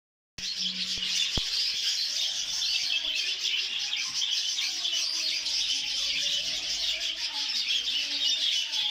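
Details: Captive exhibition budgerigars kept for breeding chatter together in a dense, continuous wash of high twittering and warbling chirps.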